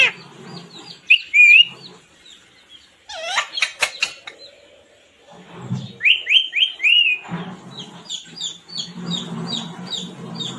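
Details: Pet talking parrot, said to speak "mummy papa koun aaya hai": warbled whistled phrases and a rapid burst of harsh syllables, with high chirping from other birds throughout the background.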